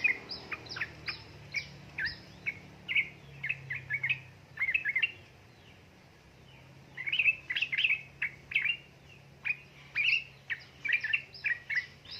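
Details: Lure for lazy Yellow-vented bulbuls, a female calling a male in rapid ropel ngeriwik manner: dense runs of sharp chirps and twangy notes, a brief pause midway, then lively bursts resume; low hum underneath.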